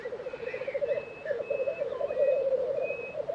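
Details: Black grouse lek, Tiveden, Sweden, April 2023: a pulsing, gurgling bubbling chorus dominates, with faint drawn-out whistles and a soft warbled note from other birds in the background.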